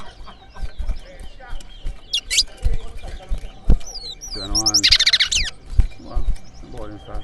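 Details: Caged towa towa singing at a bird race, a singing competition, in New Amsterdam, Berbice, Guyana: short bursts of bright, rapid, high twittering notes and slurred whistles, over crowd chatter, a man counting aloud and low thumps.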